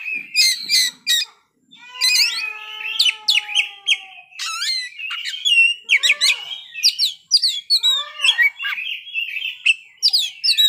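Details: Kacer, the Oriental magpie-robin, unloading its repertoire of fill-in phrases: rapid piercing whistles and chips, long falling tonal notes, arched mellow calls, and dense chattering runs after a short early silence.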